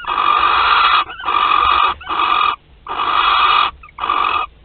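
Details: Barn owl hissing at a French nest in Théding on 25 April 2021: five harsh, steady, snore-like hisses, each under a second, with short silent gaps.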